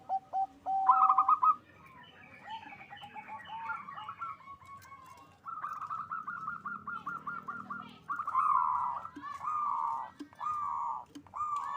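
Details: Local zebra dove song from a breeding farm in Bekasi, West Java, Indonesia, played to raise mating drive: a few clear coos, then long runs of rapid, rolling, trilled notes with several birds overlapping.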